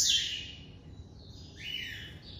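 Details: Double-collared seedeater (coleiro) from a breeder, classic song style: a loud high buzzy note, a pause, then a rising slurred whistle, with quiet background hum.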